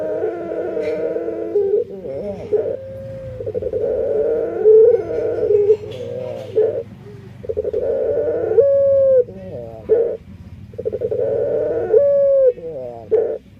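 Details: Barbary dove (burung puter) with an unusual voice, unlike other doves: long held, slightly wavering cooing notes broken by short rolling bursts, some notes ending in a sharp upward flick, repeated through the recording.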